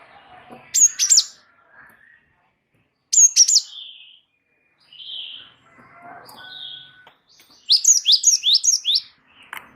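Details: Wingko Java sparrow in strong rolling song: high clicking phrases and soft whistled notes lead into a rapid run of about six downward-sliding chirps near the end.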